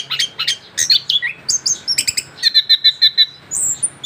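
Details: Orange-headed thrush, young and newly moulted, sings a fast ngerol run: varied whistled notes and chips, then a tight series of repeated identical high pips, ending in a drawn whistle.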